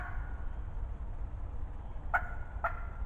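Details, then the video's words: After near silence, a close wild turkey hen in spring 2020 gives two short hoarse yelps half a second apart, over steady low rumble. "Close talkative Hen turkey spring 2020 season"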